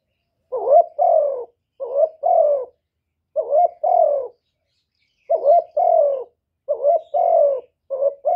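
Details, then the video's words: Spotted dove urging and cooing: about six low two-part coos in quick series, each a bubbly opening note and a longer descending coo, pauses of roughly a second between phrases. "Cu Gáy GỌI + THÚC + Gù"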